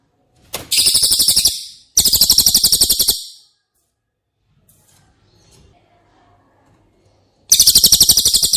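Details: Training song of the cililin, meant for caged White-rumped shama: three short bursts of rapid, high, rattling trill separated by gaps, with soft faint noises in the pause.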